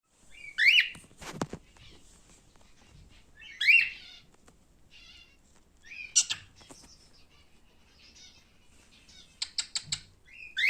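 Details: Male cockatiel giving a few short, rising chirped calls spaced several seconds apart, with a thump and brief ticking clicks between them in a quiet room.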